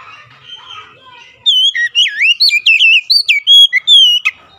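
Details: Lure song of the Oriental magpie-robin for birds slow to sing: after faint background warbling, a fast, loud series of varied looping whistles and short notes runs for about three seconds.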